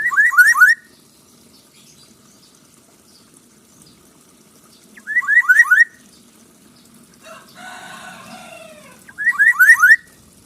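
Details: Black-naped oriole in full voice, repeating a short phrase of rapid zigzag fluty whistles three times, roughly every four and a half seconds, with one long harsh nasal call between the second and third phrases; otherwise quiet.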